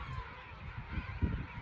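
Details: A dense, low roar of a huge king penguin colony at St Andrews Bay, South Georgia, over 200,000 birds with brown chicks present, honking bursts rising briefly out of the steady white-noise din.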